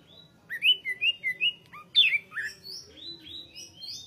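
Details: Greater green leafbird singing a bright series of clear whistled notes, four similar slurred phrases in quick succession, then a louder burst of varied downslurred whistles followed by softer high notes.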